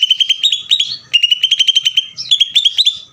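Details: Greater green leafbird in ngeder song, a nonstop stream of quick, clipped metallic chirps in fast series with brief rising slurs between them, continuing without a break for three seconds.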